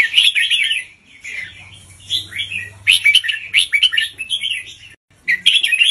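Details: Caged red-whiskered bulbul used to tutor young birds, singing slow, clearly spaced doubled phrases; loud rolling warbles, rapid chattering notes, a brief silence, then another bright phrase.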